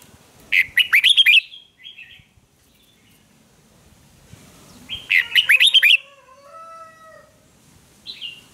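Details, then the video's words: Red-whiskered bulbul in a singing duel for voice training: two bright warbled phrases of rapid swooping whistles about four seconds apart, with faint softer notes and a brief chirp afterwards. "Kích chào mào hót đấu"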